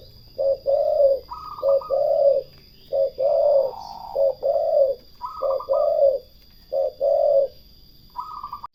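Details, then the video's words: Turtle doves giving low, soft coos in short-then-long pairs, phrases spaced about a second apart, with higher brief hooting notes slipped between some pairs; quiet background. "The melodious sound of turtle doves"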